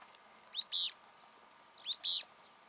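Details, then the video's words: A firewood-gatherer, heard singing but unseen during a countryside walk, gives sharp, high, squeaky paired notes repeated about every second and a half over faint background hiss. "Eu estou ouvindo um graveteiro aqui, mas eu não consigo ver ele. Mas"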